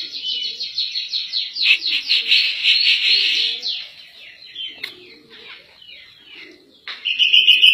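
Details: Cak jenggot, or grey-cheeked bulbul, in 'gacor nembak' master song used for teaching other birds: a long rush of fast repeated shrill notes and rattles over three seconds, quieter scattered chirps, then a loud bright closing phrase.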